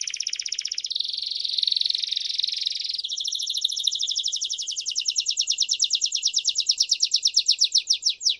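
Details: Canary song for training young canaries: buzzy rolling high phrases changing pitch, then a long fast trill of regular pulses that becomes louder and more distinct toward the close.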